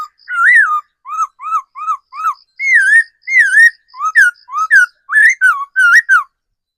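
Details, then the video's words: Mature wild decoy laughingthrush in full song: a run of five short, evenly spaced rising whistles, then longer wavy slurred notes and varied rising and falling whistles, delivered almost without pause. No other noise. "Tiếng chim khứu mồi già rừng"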